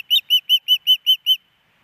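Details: Female osprey on the Hellgate Canyon nest, Missoula, Montana, 10 September 2018, asking the male for fish. Seven loud, clean, high whistled chirps spaced evenly about five per second, then silence.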